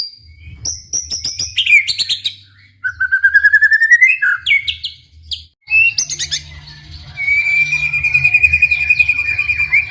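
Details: Murai batu, the white-rumped shama, singing its gacor song meant to make other shamas answer: sharp chips and rattles, a long trilled whistle rising slightly, then a sustained buzzy trill, over a low background hum.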